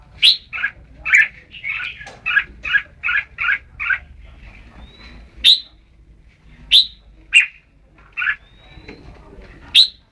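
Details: At Ban Song, a red-whiskered bulbul delivers a brisk burst of short chirps, then slower, spaced sharp high notes and single chirps, with a faint thin whistle in between.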